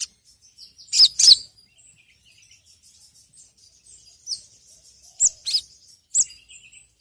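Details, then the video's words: Sogok ontong, or sogon, sunbird as a lure sound: a few scattered high, down-slurred chirps, often in close pairs, separated by quiet stretches. "PANCINGAN BURUNG SOGON TERAMPUH SEPANJANG MASSA..!"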